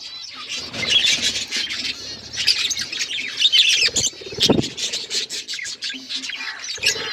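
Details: Chattering pet budgies: bursts of high, scratchy warbling and quick chirps from several birds at once, broken by a few short pauses and a soft low knock partway through.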